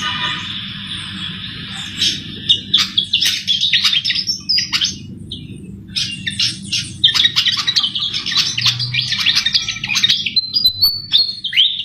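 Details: Sikatan jawa flycatcher in full song, used as a trapping lure: bursts of sharp chirps and squeaky rattles after a quieter buzzy opening, ending in a thin high whistle, over a steady low background hum.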